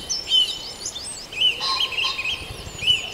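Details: Dawn birdsong at Farndale with sharp, bright chirps repeated by several singers and a short burst of fuller, richer song in the middle.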